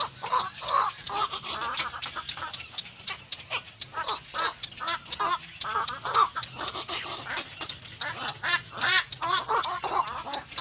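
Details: Little black cormorant mother and young together; loud, rough, croaking calls come in quick irregular series of short strokes, several overlapping, with a low steady hum underneath.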